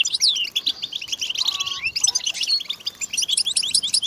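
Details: European goldfinches chattering together in a chorus meant to coax silent males into song: rapid, overlapping high tinkling notes and twitters, with a brief thin whistled note lower down.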